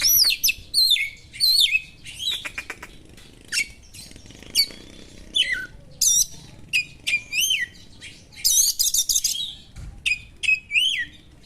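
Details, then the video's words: Long, sharp sequence from a white-rumped shama imitating small birds: varied whistled slurs, dry rattles and dense bursts of high chattering notes, delivered in quick phrases with short pauses. "suara burung kacer materi tajam burung2 kecil,mengungah emosi kacer"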